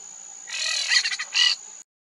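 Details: Monk parakeet recorded February 2024 in wetlands of the Maldonado river estuary, Uruguay: one sustained grating screech breaking into rapid stuttered pulses, then a final harsh squawk, before abrupt silence; a thin continuous high tone underneath.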